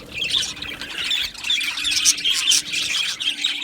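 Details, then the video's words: Australian budgerigars singing in a colony aviary: rough squawky chatter mixed with bright whistled chirps, about two notes per second, continuous with small dips. "Beautiful Budgies Birds Singing and Chirping Sounds"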